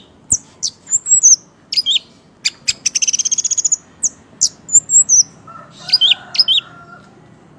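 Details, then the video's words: Caged Orange-headed thrush in full song: varied high whistles, sharp clicks and a fast trill of rapid repeated notes, followed by more slurred whistled phrases, with a faint lower tone in the background. "Burung Anis merah gacor,teller,ngeplay"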